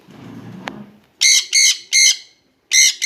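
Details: Jenday conure pair: a low rumble fades out, then four loud, raspy screeches come in quick succession.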